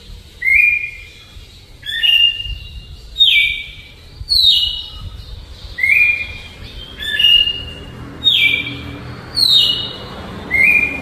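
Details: A Red-cowled Cardinal sings a slow, flute-style Alagoas song of clear, slurred whistled phrases, each sliding through a mid-high pitch and repeated about once a second over a faint low hum.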